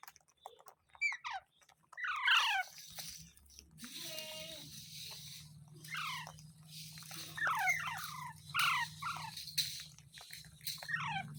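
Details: Parrot giving repeated shrill, falling squawks in clusters over a steady low electrical hum and background room noise.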